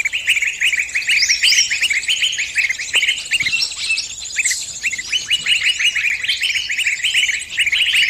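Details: Bird stuck in a trap, calling its friends for help: steady, rapid series of short, sharp chirps repeated many times per second, over dense high twittering from other birds.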